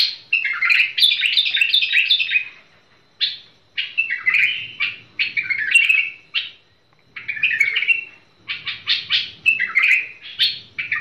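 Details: Bulbul song of lively, rapid warbled phrases mixed with clipped chirps, with a few short silences between bursts. Faint low rumbling is heard in the background.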